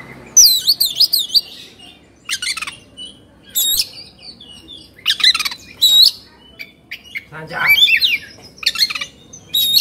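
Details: Excited Oriental magpie-robin, a hobby bird in Indonesia, fluffing and fanning its tail; wavering whistled trills open, followed by repeated sharp clicks, rasps and varied chirping phrases.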